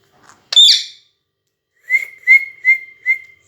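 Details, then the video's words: Pet parrot whistling: one loud harsh squawk, then four steady, level whistled notes repeated about every third of a second, each note held and evenly pitched, in a quiet indoor setting. "Parrot whistle"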